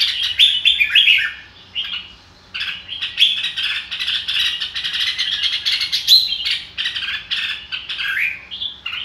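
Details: Red-whiskered bulbul delivering a long, lively song: an opening burst of warbled notes, a short pause, then a dense, steady stream of sharp chirps and twittering phrases.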